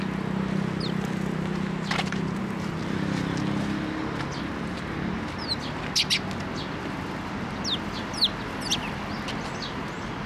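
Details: Sparrows coming to a post to be fed at a Tenmangu shrine on 26 May 2024. Short, sharp, high chirps are scattered through the recording and cluster between six and nine seconds, over a steady low rumble of background noise.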